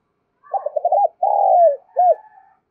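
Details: Spotted dove calling to stir other doves into calling: a stuttering run of short coos, then a long drawn-out coo falling away at the end, and a brief arched final note trailing off softly.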